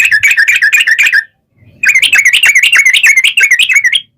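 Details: Yellow-vented bulbul lure song, the long rapid ropel panjang type used to provoke answering birds. Two loud runs of fast, wavering chatter with a short break between them.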